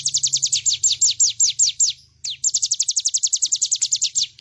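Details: Ciblek gunung (bar-winged prinia) in energetic song for a bird-tutoring master: steady rows of clear, high, falling whistled notes, about six per second, with one brief pause and a soft low hum beneath.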